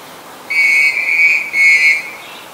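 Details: A black-collared starling in Ubon Ratchathani, Thailand, 10 February 2023, gives two long, steady whistles with a slight dip between them, each about half a second or more, ringing with strong overtones against a quiet background.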